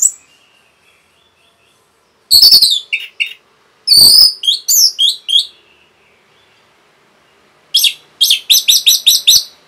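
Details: Fast Orange-headed thrush song meant to excite other birds. Harsh, high chattering phrases and slurred whistles are followed by a rhythmic series of about eight sharp repeated notes near the end.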